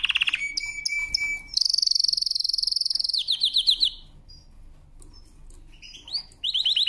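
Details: Canary song for training: a high steady whistle dropping to a long flat trill, then a fast buzzy rattle, a run of descending notes and closing rapid trills, all clear and loud.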